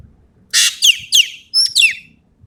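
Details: Sumatran ekek keling in full tembakan voice: a loud, grating burst followed by two falling whistles, a brief pause, and two more sliding whistled notes; low background noise.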